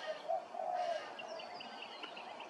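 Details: Grey-crowned babbler at Hervey Bay, Queensland: a drawn-out, slightly wavering mid-pitched whistle followed by a run of short higher chirps.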